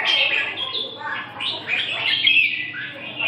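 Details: Red-whiskered bulbul giving a brief burst of bright, warbling whistles, notes sliding up and down in quick succession, with a soft steady hum underneath.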